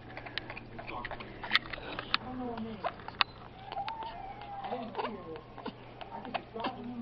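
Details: A pet grey parrot, just after stepping up onto a hand, wags his tail with feathers fluffed out and gives thin, wavering whines like a small dog's whimper while a person talks over it indoors.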